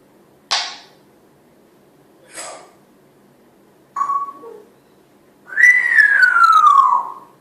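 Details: Pet female African grey parrot indoors in a family home, giving a few short breathy bursts, then a brief flat whistle and a long clear whistle sliding downward over about a second and a half; quiet room, no other voices.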